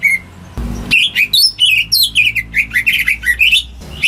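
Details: Household greater green leafbird in lively song meant to set off silent birds: a brief whistle, then a dense chain of twisting, sliding notes about five per second, with a low thump near the start.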